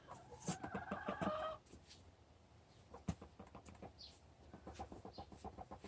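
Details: Four-year-old hen, possibly in the early stages of broodiness and leaving the nest less often than the others, gives a brief drawn-out tonal note, then a long run of soft, rapid clicking pulses close to the microphone.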